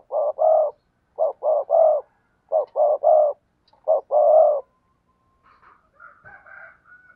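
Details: Spotted dove giving its cooing call for bird keepers: four phrases of two to three low hollow coos, each ending on a longer note, then quieter chirping at the end.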